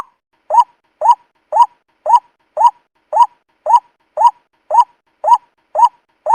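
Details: White-breasted waterhen calling, as used to lure birds for trapping: twelve evenly spaced nasal notes rising in pitch, a little slower and softer than a full-volume series, with quiet between them.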